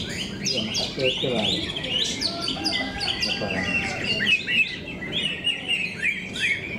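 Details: Competition singing of greater green leafbirds at Cikeas: rapid, varied high notes, sharp downslurred whistles and buzzy chips tumbling over each other from several birds, with voices briefly audible early on.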